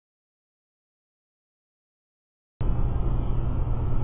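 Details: Silence at first, then a sudden burst of low rumbling background noise with no animal voice.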